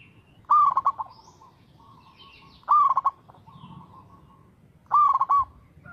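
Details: Local zebra dove cooing in a steady rhythm, about every two seconds. Each bright phrase starts with an upward-sliding note, then a fast broken trill of short coos, with softer fainter cooing between phrases.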